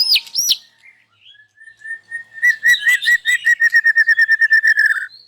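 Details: White-rumped shama singing strongly in the morning, displaying its learned phrases: two looping high whistles, a long steady whistle, then a fast, accelerating run of repeated notes ending in a rising slur.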